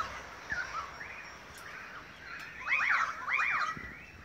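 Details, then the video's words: Group of Australian magpies singing in Beverly Hills, Sydney, Australia, August 2015: soft arched warbles early, then two loud bursts of rapid, falling, overlapping carolling notes near the end. "Magpie concert"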